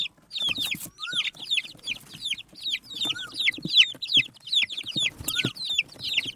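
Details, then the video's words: Desi (native) chickens, baby chicks eating rice, peeping constantly in high, short descending cheeps that overlap from several birds, with occasional lower rising notes and faint pecking clicks beneath. "Tot Murgi Chicks Chirping Sounds"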